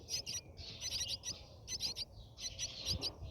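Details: Brahminy starling at its nest, heard from inside the nest during feeding: faint, high squeaky chirps in quick bursts of two or three, separated by short pauses, over low background hum.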